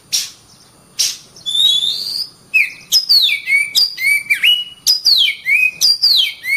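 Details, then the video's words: Oriental magpie-robin singing energetically, two harsh bursts followed by a long rising whistle, then a rapid run of varied high whistled phrases, many sliding downward, almost continuous toward the end. "suara burung Kacer gacor"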